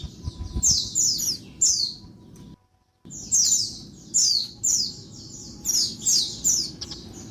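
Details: Female Oriental white-eye (pleci) giving noisy calls used to stimulate males into singing, recorded at midday: clusters of high, sharply descending chirps repeated in quick bursts, with low background rumble and a brief silent gap.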